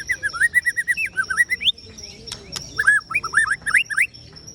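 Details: Ciung wanara white-rumped shama song: a fast chain of looping, warbled whistles rising and falling, a brief pause with a couple of clicks, then another rapid run of twisting whistled notes.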